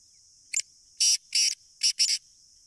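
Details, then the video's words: Black francolin of the Sindhi type, called kala teetar, recorded 30 June 2023: one brief note, then four loud, scratchy, buzzing bursts grouped in two pairs, against a constant high hiss. "Kala Teetar ki Awaz | Sindhi Kala Teetar Voice | Black Frankolin Voice"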